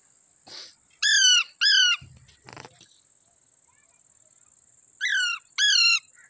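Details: Wild parrots playing in a lemon tree: harsh, harmonic squawks given in pairs, each short and slightly falling, with a steady high hiss behind.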